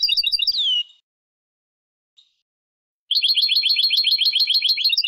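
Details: A European goldfinch (Carduelis carduelis) sings bright, tinkling twitters in quick runs with one sliding whistle, then about two seconds of near-silence before another fast, liquid burst.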